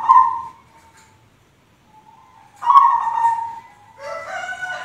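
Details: Zebra dove of the white 'kapas putih' type giving gentle rolling coos, one phrase at the start and another near the middle, followed by a rougher, noisier burst of sound at the end.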